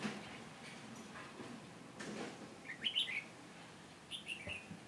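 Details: Red-whiskered bulbul at a trap in Hòa Bình, Vietnam, on 18 November 2017, a decoy calling to draw in wild birds. One clear warbled phrase midway, then two shorter chirped notes, over faint background rustle.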